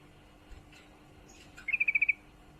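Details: Female yellow-vented bulbul in breeding condition calling to a male: after faint chirps, a brief rapid rattle of about seven sharp, evenly spaced notes at steady mid-high pitch.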